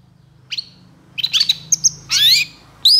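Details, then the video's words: Long-tailed shrike singing vigorously: scattered thin whistles and short chirps, then a loud rasping downward-slurred burst and a final sharp high note, over a soft low background hum. "SUARA PENTET GACOR DOR EMOSI TEMBAKAN PANJANG"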